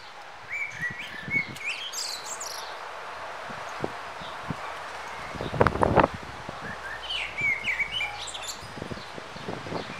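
A young dunnock gives thin, high, squeaky calls in short bursts near the start and end, with rustling and a few knocks in between.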